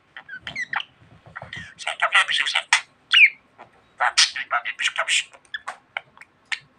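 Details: Domestic budgerigar talking, a dense stream of scratchy, speech-like syllables and clicks with occasional sharp whistled slurs, broken by brief pauses.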